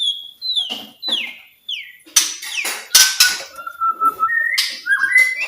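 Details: White-rumped shama singing, used to prompt quiet shamas into song: falling slurred whistles repeated three times, harsh bursts, then a long level whistle and rising whistled phrases.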